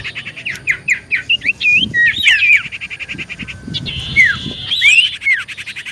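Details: Lively common iora song used as a lure: quick series of clipped rising chirps turning into looping whistles, then a long buzzy note with sliding whistles, over faint low noise.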